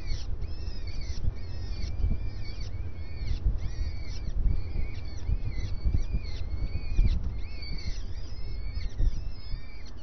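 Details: At breakfast, a starling repeats arched, slightly harsh calls about twice a second throughout, with constant low-pitched background rumble.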